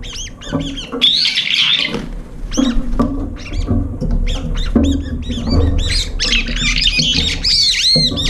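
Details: Brown-eared bulbuls arriving late at a nearly empty feeding dish, competing and fighting over the food: harsh, shrill squawks and chattering notes in quick overlapping bursts, with a steady low rumble underneath.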